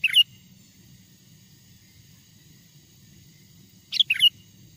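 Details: Lure song of a wild sooty-headed bulbul, meant to make wild bulbuls respond and approach: a clipped phrase opens, then after a long quiet gap a full bright, warbling burst of three quick notes, with soft low rumble beneath.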